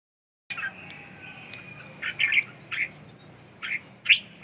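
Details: Red-whiskered bulbul giving short, separate chirped and slurred notes, some rising then falling in quick arcs, spaced about half a second apart after a brief silence, over a faint low hum.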